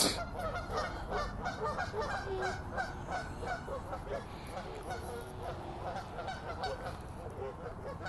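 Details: Group of Canada geese fighting, giving loud harsh honks in rapid overlapping bursts, roughly three per second, many birds calling at once over a steady low background rumble.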